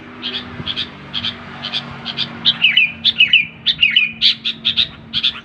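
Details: Sooty-headed bulbul uttering clear, evenly spaced chirps at first, then quicker twisting whistled notes, over a steady electrical hum.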